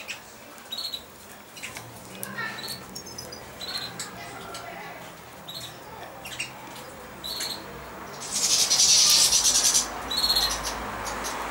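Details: Young caged male European goldfinch, about 5.5 months old with a full mask, babbling in immature subsong: sparse thin high chirps and twitters scattered through, then a loud hissing, rasping burst near the end over a low steady hum.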